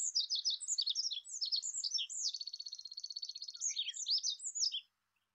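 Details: Olive-backed pipit (Anthus hodgsoni) song: a rapid, high-pitched run of sweet, thin chirps and trills lasting about five seconds, with a fast buzzy rattle in the middle, then more varied twittering notes before ending abruptly; clean background.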